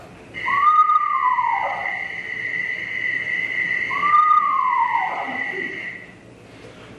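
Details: Red-phase Eastern Screech-Owl's territorial call, played back from a recording: two descending, horse-like whistled whinnies about three seconds apart over a steady electronic hum.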